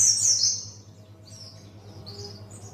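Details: Buxtoni white-eye learning ngalas song: one loud, shrill descending twitter at the start, followed by faint, thin high whistles and a low hum.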